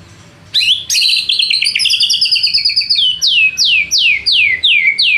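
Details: White-rumped shama song as a rival-provoking lure: after a sharp rising start, a fast buzzy trill runs on, then ends in a steady series of loud falling whistles, about four per second.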